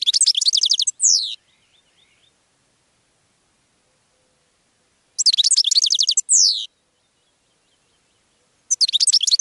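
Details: Three long phrases of goldfinch song, sung to attract other birds. Each is a rapid tumble of high tinkling notes capped by a downward-sweeping drawn note, separated by several seconds of near silence.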